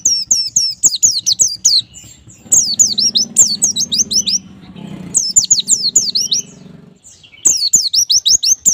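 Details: White-eye song played to make captive birds sing: repeated bursts of rapid high twittering whistles, separated by gaps, with a low humming background in the middle.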